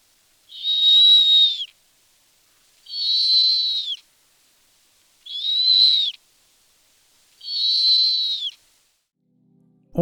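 Snowy owl giving four long, high, harsh screeching whistles, each about a second long, spaced roughly every two and a half seconds; a soft click at the end.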